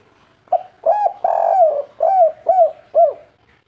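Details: One kuk 3 coo sequence from a local spotted dove: a brief note, then a long purring coo that slides downward, followed by three clear rounded hoots about half a second apart.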